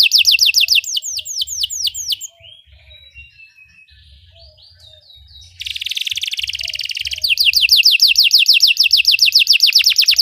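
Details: Song of a Belgian canary used to train canaries: quick falling whistled notes, a quiet stretch of soft scattered notes, then a buzzy roll leading into a fast repeated series of downslurred whistles.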